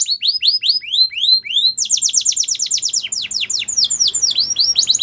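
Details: Belgian canary song used for training young canaries: rapid rising whistled notes in quick phrases, then a switch to fast descending sweeps repeated several times a second, high and bright throughout.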